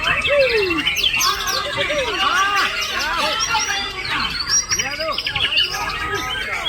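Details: Male white-rumped shama delivering a song filled with parakeet-call imitation: rapid chattering bursts, repeated arched chirps and shrill high whistles in a busy, continuous stream amid other bird calls.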